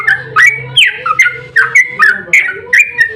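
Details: Sooty-headed bulbul singing an agitated fighting song, used as a lure to spur other bulbuls into song. Loud, clear phrases of two or three slurred whistled notes, each jumping upward, repeated about every half second with low background hum.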